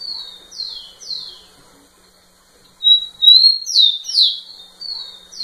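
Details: Male rufous-collared sparrow directing song at a nearby female: the end of one phrase with three falling notes, a short pause, then a full song of a steady high whistle and a string of descending slurred whistles.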